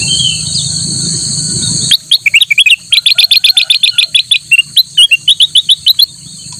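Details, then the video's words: Black-capped bulbul in lively song, used as a master recording for training other birds: after a steady insect-like hiss, a fast run of loud, sharp, high chirps repeats several times per second for about four seconds. "kutilang emas gacor buat masteran burung lain"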